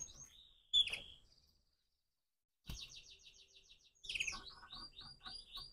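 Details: Morning song of a crossbred canary: a sharp whistled note and a trill, a silent gap, then a fast rattling high trill followed by rapid repeated descending whistles.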